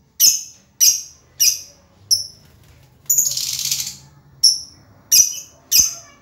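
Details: A cheerful lovebird gives clipped, shrill chirps about once every half second, interrupted by a one-second burst of rapid harsh chatter.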